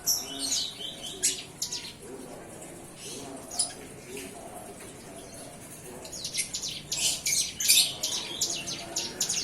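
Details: Hand-reared young bar-winged prinia, newly weaned, starting to sing: bursts of quick, high chirping notes, a quieter pause in the middle, then a denser stretch of rapid sharp ticks toward the end.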